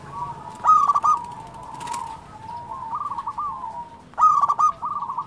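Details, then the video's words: Energetic local perkutut (zebra dove): loud, trilled, stuttering coos open and close the passage. Between them come softer, wavering cooing trills from other doves. "SUARA perkutut lokal gacor"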